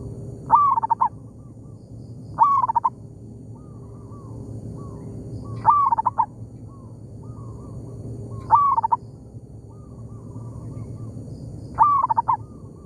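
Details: Local zebra dove in an oil palm plantation, trading calls with a decoy bird: five bright stuttering coo phrases roughly every three seconds, each followed by a softer, more distant answering phrase.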